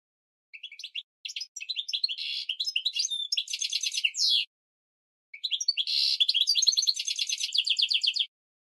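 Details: Goldfinch mule, a bird used as a training song for canaries and goldfinches, singing two long bursts of rapid, high twittering with buzzy trills and metallic notes, separated by a pause of about a second; clean background.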